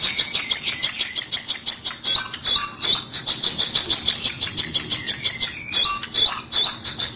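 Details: Long-tailed shrike sound for luring birds into a trap: a long, rapid, grating chatter of evenly repeated rasping notes, with a couple of brief lower whistles mixed in.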